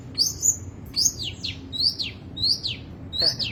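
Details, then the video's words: Long-tailed shrike with a varied, wild-style song: clear, high, downslurred whistles repeated roughly every half second, some doubled, over a low steady hum. "burung cendet materi melimpah gaya urakan alias gak karuan"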